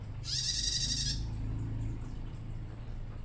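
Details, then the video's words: Young female bar-winged prinia, still learning to sing, calling to males with a high, buzzy, rapid trill lasting about one second, then steady low rumbling background noise. "PRENJAK TAMU BETINA LANGSUNG BUNYI"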